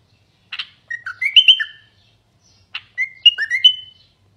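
A common bulbul gives two short, bubbly phrases about two seconds apart. Each opens with a harsh note and runs into liquid, rising and falling whistles against a quiet background.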